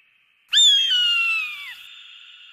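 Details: One long eagle scream with a clear whistled tone that glides steadily downward for over a second, ending in a fading, ringing echo.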